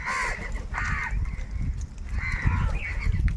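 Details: Crows competing for food give a few drawn-out, hoarse caws separated by short pauses, over steady low rumbling noise.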